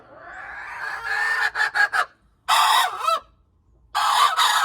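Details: Crowing hen, January 21, 2025: a long, rising, strained crow breaking into a few choppy notes, followed by two more loud, rasping drawn-out calls separated by short silences.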